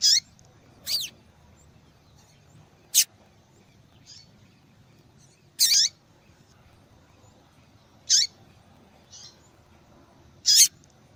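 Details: Persistent calling of a female yellow-bellied seedeater: crisp, high, piercing chips roughly every two seconds, irregular, alternating with faint short notes, no other sounds.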